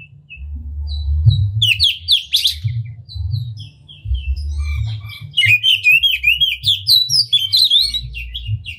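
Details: Energetic oriental magpie-robin song with tail spread, intended to provoke other magpie-robins into singing: sparse short whistles and a chattering burst, building into a fast stream of wavering warbled notes; low hum underneath.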